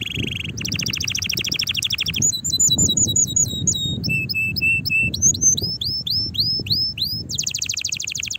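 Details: Excited canary song meant to prompt other canaries to sing, opening with a dry buzzy trill, then varied whistled phrases, steady level notes and quick upward chirps, ending in another rapid rattling trill.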